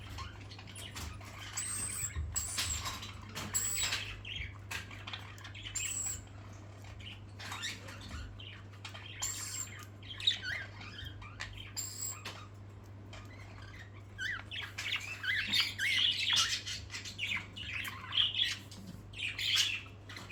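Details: Pet parakeets at play, with soft chirps and twittering through the first half, then a busier run of high, warbling chirps near the end, over a steady low hum and some wing and cage noise.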